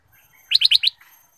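A bulbul gives a quick phrase of four rich, bubbling notes, evenly spaced and slightly falling, over a quiet background.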